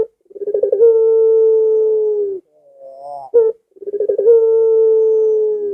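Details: Calling Barbary dove, used as a lure so pet doves join in. Two long coos, each opening with rapid bubbling pulses and settling into a smooth, level, low drawn note, with a short rolling phrase between them.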